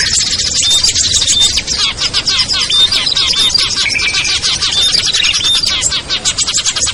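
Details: Crowded twittering of small birds, including ciblek, kutilang, trucuk, sogon and perenjak, used as a lure for birds reluctant to come down; high chirps overlap densely, punctuated by short level whistles.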